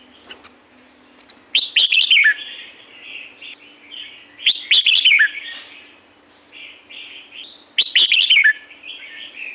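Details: Wild red-whiskered bulbul singing in the Thai forest of La-u: three loud bubbling whistled phrases roughly three seconds apart, each a quick tumble of slurred notes, with quieter warbles filling the gaps over a faint steady hum.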